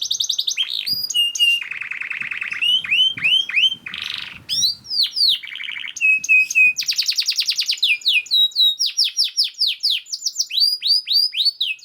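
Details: Canary song played as a master to get lazy canaries singing: varied tours of upslurred whistles, low buzzy rolls and fast high trills, changing every second, with faint low knocks early on.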